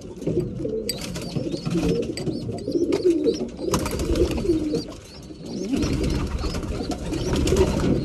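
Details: Breeding pigeons at mealtime, a dense chorus of low cooing mixed with rustling, wing or feeding noise and repeated high squeaky chirps.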